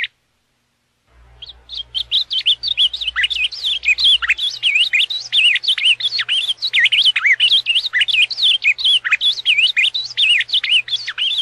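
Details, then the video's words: Ultramarine grosbeak, azulão paraná song: after about a second of silence the bird launches into a long, continuous flow of rapid whistled slurs, dipping and rising in a dense warble. "Canto do azulão paraná"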